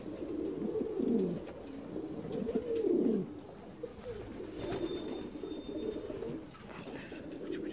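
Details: Saltanat pigeon, an ornamental Turkish breed once kept in Ottoman palaces, kept by a breeder in Bursa; low, throaty cooing in rolling bursts that swell around the first and third seconds, then softer warbling coos, with faint indoor room sound.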